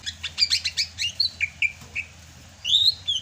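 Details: Greater green leafbird from Sumatra singing in the rainy season: rapid chirping burst, then evenly spaced whistled notes, closing with a longer rising buzzy phrase.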